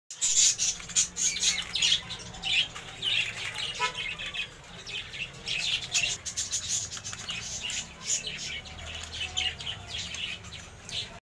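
Budgerigars chatter with rapid, scratchy chirps and warbles, a continuous high-pitched twittering.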